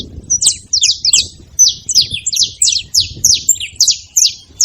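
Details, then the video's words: Several saffron finches making noise at a feeding spot, giving a steady stream of high, sharp chirps in quick overlapping bursts, about three per second, with faint low background rumble. "Canarinhos fazendo barulho na seva"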